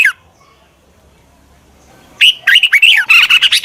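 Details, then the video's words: Decoy red-whiskered bulbul luring wild bulbuls: after a near-silent stretch, a sudden rapid string of loud, scratchy warbled notes running for over a second. "Tiếng chào mào mòi chuẩn gọi chim bỗ nhanh về"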